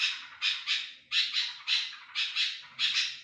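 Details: A loud sooty-headed bulbul (kutilang) in full voice, kept for luring other bulbuls. Harsh, raspy, broadband notes come in paired bursts about every half second, loud and close, with nothing else audible.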